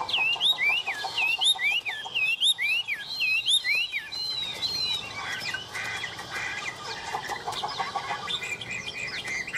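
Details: Tame Chinese hwamei perched on a hand, singing vigorously: rapid looping whistled notes sweeping up and down, a quick series of bouncy phrases, then a busier mix of chirps and softer warbling.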